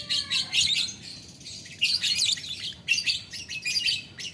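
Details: Lovebird calling out to a rival with ngetik ngekek chatter: dense, shrill, grating bursts, some running over a second, broken by brief pauses. A faint steady low hum sits underneath.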